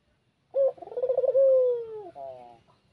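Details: Spotted dove in the afternoon, used as a lure to draw rivals: one low cooing phrase with a rapid wavering start, then a long smooth slowly falling coo and a brief harmonic tail note.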